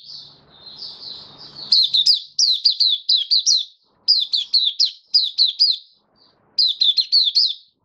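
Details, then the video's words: White-eye in a cage performing 'buka sing' on 18 May 2022, after regular deworming and supplements: soft warbled notes lead into energetic groups of sharp, high, falling chirps separated by short silences. "Mata Puteh Kitaro buka sing"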